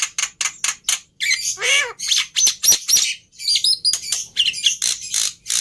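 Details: Black-winged myna singing a loud, dense mix of rasping squawks, a nasal harmonic-rich note and sharp high whistled pips, delivered in quick bursts with brief pauses.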